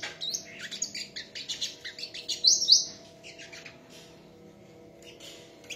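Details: Sunbird in a song contest, a jumble of high chirps and quick twitters, loudest near the middle, then fading to sparse notes.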